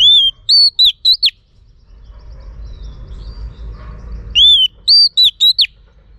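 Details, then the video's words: A female Oriental magpie-robin, calling to excite males, gives a bright whistled phrase of five notes, one arched and then clipped slurs. The phrase is repeated after a quiet gap of about three seconds. "Choè than mái kích trống hay nhất"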